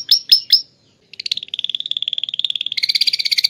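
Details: Atlantic canary from Klaten, Indonesia, singing lovebird-imitation phrases: three sharp descending chirps, a pause, then a long rapid buzzy trill that speeds up and splits into a higher, harsher rattling series.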